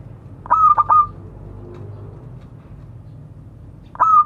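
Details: Local zebra dove calling to others, giving a fast triple-note stuttering coo with a short trill, a quiet pause, then the same burst starting again.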